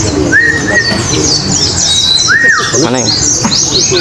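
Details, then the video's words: Contest birds, oriental white-eyes, compete in song: quick high chattering twitters interrupted by rising-then-flat whistled notes. Background murmur from people is heard. "pleci ABIRAWA dan R7 adu mekanik di gantangan"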